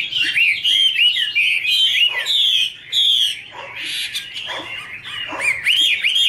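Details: Chinese hwamei, a female, delivers varied ringing whistles and looping slurred notes in short bursts, a male hwamei singing in the background, with small gaps between phrases.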